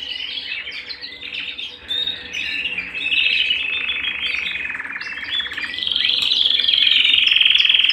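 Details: Canary singing at home, a loud continuous warble of rolling trills and chirps that swells toward the end into a sustained, ringing rapid trill.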